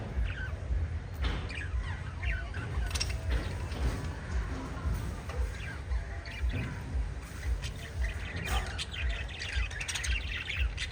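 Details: Five lovebirds chirping: a steady run of short, high chirps and twitters, many overlapping and repeating roughly twice a second, over a constant low hum.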